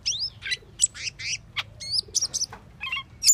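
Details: Asian glossy starling giving rapid, varied calls: curving squeaky whistles, clicky chips and a few buzzy notes, tumbling one after another with brief pauses, over a soft low background hum.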